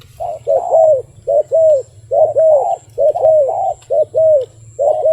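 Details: Wild dove cooing in tight clusters of two or three notes, short then long and bowed, repeated throughout, against a constant low hum and faint high tone.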